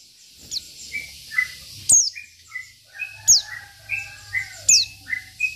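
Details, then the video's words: Sparse 'isian' singing from a local Oriental white-eye, said to rile rivals: short whistled notes about twice a second, broken by a sharp high falling note every second or so, over a faint low hum. "PLECI BIKIN EMOSI LAWAN || Pleci Lokal || Pleci Isian"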